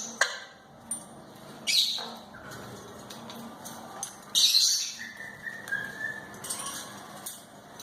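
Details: Talking pet African grey parrot producing scattered loud squawks and a long level whistled note followed by a slowly falling whistle, with brief sharp calls at the start and quiet gaps indoors.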